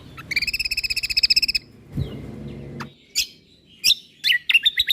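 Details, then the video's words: Lombok white-eye singing hard for a songbird training recording: a long rapid rattling trill on two high pitches, then scattered sharp whistled notes and upslurred chirps against faint low hum. "Masteran Burung Kecial Kombok Lombok Gacor Full Tembakan Mewah"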